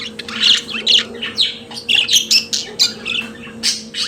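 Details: Pet budgerigar singing: rapid chattering warble of harsh squawky notes and short chirps, dense and irregular, with a steady low electrical hum underneath.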